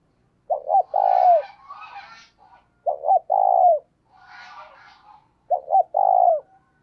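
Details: Spotted dove used as a decoy, cooing vigorously to stir another bird into cooing. Three low phrases of two short notes plus a long falling coo, with higher, scratchy twittering between them.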